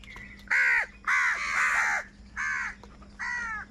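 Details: Crows fighting over food, giving harsh, hoarse caws with stacked harmonics, four loud calls in under four seconds, the second one drawn out longer, over a faint steady hum.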